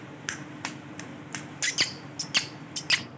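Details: Male Ringneck parrot making short, scratchy, high squawks and chirps, about a dozen in three seconds, irregularly spaced over a faint room hum.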